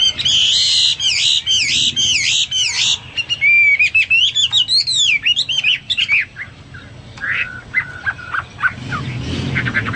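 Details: Hwamei in full song as a tutor bird: harsh, rich phrases blending into looping whistles and quick varied notes, fading into quieter scratchy sounds at the end.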